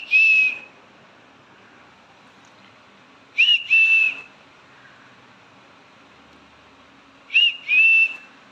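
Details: Green-cheeked conure kept as a pet, calling to its owner: paired whistles, a quick upslurred note then a longer level whistle, repeated three times at roughly three to four second intervals.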